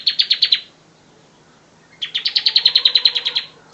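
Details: Bar-winged prinia master song for training birds: a short run of about six quick, high chirps, a pause, then a longer trill of around sixteen notes.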